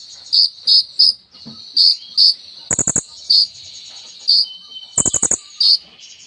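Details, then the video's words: Sunbird known locally as kolibri ninja, singing a song full of borrowed phrases: short bright high notes repeated at roughly half-second intervals, two quick clicking rattles, all over a steady thin high-pitched background hum. "KOLIBRI NINJA GACOR FULL ISIAN MEWAH"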